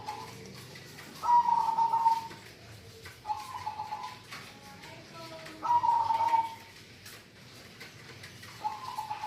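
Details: Local zebra dove song: three loud, wavering, tonal coo phrases about two to three seconds apart, each roughly a second long, with a softer start of a fourth at the end and faint background noise.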